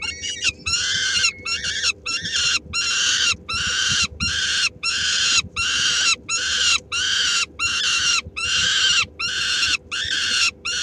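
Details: Peregrine falcon female feeding three-week-old chicks at Helmond, May 2016, as one snatches the morsel. Steady series of harsh, buzzy screeches repeated roughly every half second, evenly spaced, after one short rising whistle at the start.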